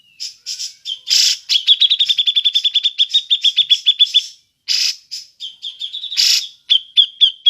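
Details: Repeated ngepik call of a cucak jenggot (grey-cheeked bulbul), suited to luring other birds: a long, fast, slightly uneven chain of sharp 'pik' notes broken by loud raspy bursts, then shorter pik runs.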